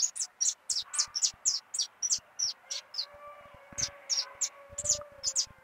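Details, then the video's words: Singing saffron finch in brown plumage delivers clean, high-pitched chirped notes, roughly three per second, separated by brief silences. A faint steady tone runs in the background. "Canarinho pardo cantando muito"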